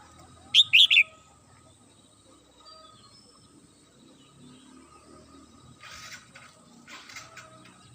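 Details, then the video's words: Morning song from a Red-whiskered bulbul kept at home: a single fast, clear phrase of two or three slurred whistled notes at the start, then soft hissing rustles and a faint steady tone. "CHim Chào Mào Mơ nhà mình hót buổi sáng"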